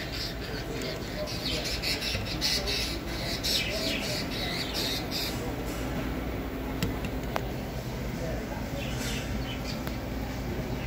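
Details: Budgerigars at a pet store chirp and squawk in quick, scratchy bursts over a steady background hum.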